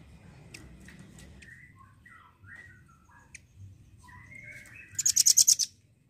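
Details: Velvet-fronted nuthatch, a red-billed type, used as a tutor for songbirds: a few short scattered chirps and slurred notes, ending in a loud, rapid, high-pitched trilled rattle of about ten notes.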